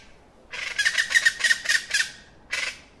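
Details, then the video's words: A plain chachalaca gives a harsh, raucous run of about six rasping notes in quick rhythm, then one more grating note after a short pause. "kicauan burung Plain chachalaca"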